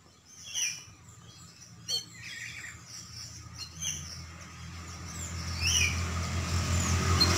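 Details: Oriental magpie-robin being sunned after bathing sings a varied run of bright, whistled and slurred notes, some sharp and rising, over a steady low hum that grows louder toward the end.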